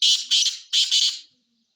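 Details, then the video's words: Black francolin calling: harsh, grating squawked notes in two paired bursts, the second pair following after a short gap. "kala teetar ki awaz black francolin"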